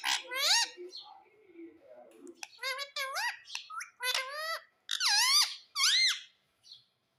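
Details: Indian ringneck parakeet kept as a pet, talking in a small room: a soft, low, murmured stretch at first, then loud squeaky rising-falling syllables in rapid bursts, several in a row, ending in quiet.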